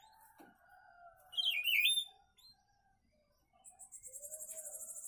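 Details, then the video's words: Papa-pimenta, a kept bird, delivering a single quick twisting warble, followed after a pause by a rapid high buzzing pulse and a low steady tone. "Canto Do Papa Pimenta"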